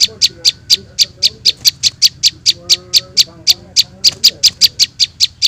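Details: Prinia chicks used to lure small birds: regular high clicking chips roughly four per second over faint lower warbled tones from another bird.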